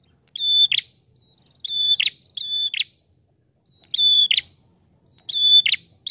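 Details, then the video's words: Prinia song in the 'ngalun rapat' style used for luring: five phrases at uneven intervals, each a drawn-out thin whistled tone ending in a rough rattling flourish, against near silence with a faint low murmur. "Prenjak TAMU Gacor Ngalun Rapat"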